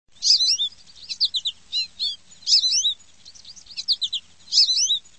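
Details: Sparrow chirping in high, bright, twittering phrases of quick sweeping notes, the bursts coming about every second with short pauses between them.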